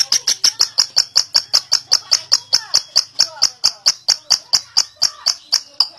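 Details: Long ngekek trill from a lovebird, intended as training material for other lovebirds: an even series of bright, clipped high notes, roughly five each second, with faint low hum underneath.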